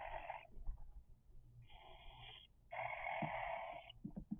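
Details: Raspy, hissing begging from three-week-old cockatiel chicks: three broad buzzy bursts, the last one longer and louder, with soft low thumps and an indoor hum underneath.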